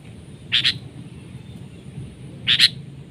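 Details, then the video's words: Sooty-headed bulbul in a trapping duel with a decoy bird; two paired bursts of sharp, high chattering notes about two seconds apart, with low steady background hum. "PIKAT KUTILANG CENGKRAM seperti elang adu kekuatan"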